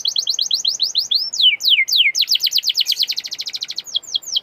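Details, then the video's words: Canary song for prompting canaries to sing more vigorously: fast repeated high chips, a few loud downward-sweeping whistles, then an accelerating rattling trill that slows into spaced notes. "Canary gacorr!!!! canary bisu auto nyaut!!!!"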